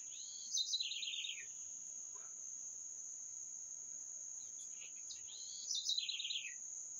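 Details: Songbird repeating a brief phrase twice, high thin notes dropping into a rapid stepped trill that falls in pitch, with a constant shrill insect buzz throughout.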